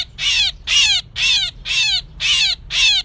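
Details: Myna used as a trapping lure in 2024, giving six rasping, screechy calls with downward-bending tones, spaced about half a second apart, clean and without background sounds.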